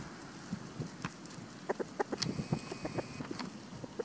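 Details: Free-ranging chickens in spring with a white rooster guarding his hens: short, low clucks in loose irregular bursts, busiest midway, with faint high chirps of wild birds overhead.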